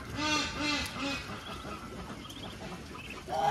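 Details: Farm duck mother guiding ducklings to food: three rounded, arching quacks in quick succession within about a second, followed by quieter murmurs and a sharp higher note at the end.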